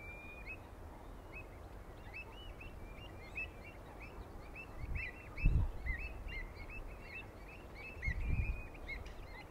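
Common Redshank: a rapid, continuous run of short, high piping notes, several birds overlapping, over steady low wind rumble with a few thumps.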